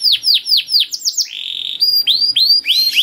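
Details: Canary singing a long cuit cuit training song: repeated descending swoops, a short buzzy note, then bright upswept whistles in quick succession.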